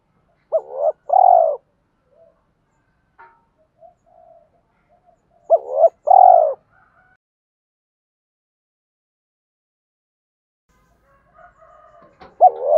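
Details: Spotted dove cooing from a male and female, meant to stimulate calling: short double notes then a falling coo, repeated about every five seconds with long quiet gaps and faint soft notes.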